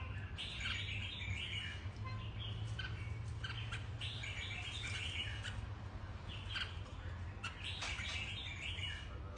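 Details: Red-whiskered bulbul, a platinum-patched mutant, delivering repeated quick warbled phrases of liquid chirps every second or two against constant low-pitched hum and noise.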